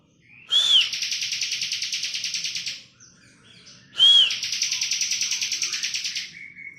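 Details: Energetic ngebren-style singing from a bar-winged prinia: two phrases about three seconds apart, each a short arched whistle then a long, dry, rapidly pulsed buzzy trill lasting around two seconds.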